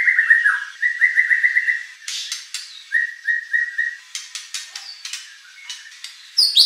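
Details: White-rumped shama song from Indonesia, meant to provoke competition birds into answering: strings of quick whistled notes, short harsh bursts, scattered clicks, and a sharp high note at the close.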